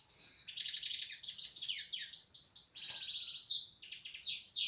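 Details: Lively European goldfinch song of quick tinkling chirps, down-slurred twitters and short buzzy trills tumbling after one another at high pitch.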